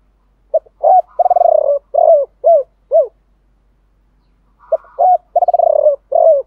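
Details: Spotted doves, male and female, in a keepers' stimulation call for quick cooing. Each phrase starts with a short tap, rolls through a buzzy pulsed run and ends in three or four low arched coos; two phrases are heard.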